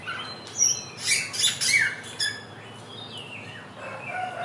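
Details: Samyong, or Helmeted friarbird, native to Indonesia's NTB and NTT and famed for its 1001 voices, gives a burst of sharp, squeaky chirps early on, then softer slurred whistles fading out.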